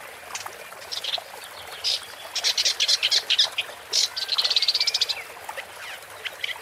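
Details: Scratchy Woodchat shrike song, starting with scattered notes, then dense chattering phrases and ending in a fast, even rattle of about a dozen dry notes, with a thin whistled slur among them.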